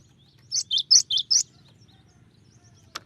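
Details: Cinereous tit song with varied phrasing, five quick high two-note chips alternating upper and lower pitch, fairly soft over a low background hum, followed by a single sharp click.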